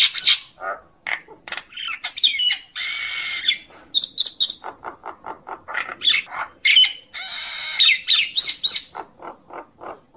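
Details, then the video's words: Common myna calling to gather its flock: a busy, irregular mix of harsh squawks, short clicking notes, clear whistles and longer buzzy, grating bursts, delivered loud and close in quick succession with no other sounds standing out. "Tiếng sáo nâu gọi bầy"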